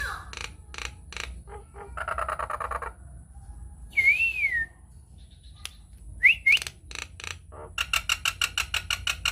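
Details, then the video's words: Nias hill myna lure recording used to provoke other mynas into singing. Sharp clicks and buzzy notes are interleaved with clear rising-falling whistles, ending in a rapid run of ticking pulses. Low background hum. "PANCINGAN / MASTERAN JALAK NIAS GACOR, TEMBAKAN DAHSYAT 🔥 |INDIAN MYNAH BIRD CALL"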